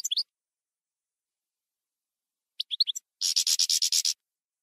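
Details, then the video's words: European goldfinch in the campero song style, 2020/2021 recording: short bursts of twittering chirps, then a dense, rapid rattling trill of harsh buzzy notes lasting about a second. "NUEVO CD JILGUERO CAMPERO 2020/2021"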